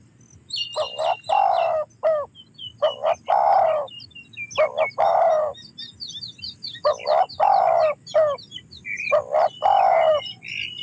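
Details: Spotted dove repeating its coo phrase about four times, quick doubled notes leading into a long burry coo, while small birds keep up busy high chirping throughout.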